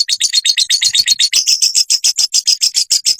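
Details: Crimson sunbird song used to train caged birds: fast, high twittering chirps in close succession, speeding into a steady string of bright notes in the second half.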